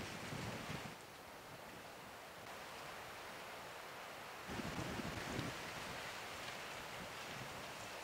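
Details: Steady wind rushing over the microphone with the broad wash of waves and surf, no animal voice standing out.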